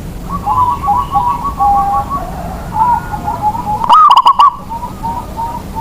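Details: Lure zebra dove of a local Indonesian line, sung to make other doves join in: a background chorus of soft, rolling coos, then one loud, abrupt phrase of rapid hollow notes, with quieter cooing resuming afterward.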